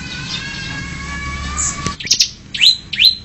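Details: Bar-winged prinia song, recorded as a tutor track for cage birds: after a stretch of steady humming background noise, a few high chips give way to two sharp, rising-then-falling notes.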